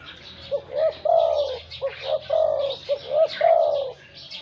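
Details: Spotted dove used as a decoy, wild-caught with a deep voice, gives a run of coo phrases. Short hooting notes lead into long, gently falling coos, with soft chirping faintly behind.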